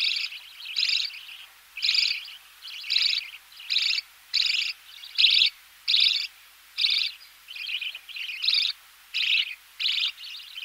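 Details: Close recording of budgerigar chicks being fed in the nest, background knocking: steady series of short hoarse, buzzy chirps repeated a bit more than once per second.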